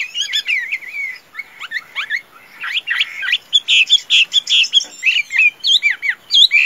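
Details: Vigorous song from a tame Chinese hwamei said to sing and fight well: quick slurred whistles and scratchy notes, pausing briefly, then building into loud, regularly spaced bursts of bright whistled phrases.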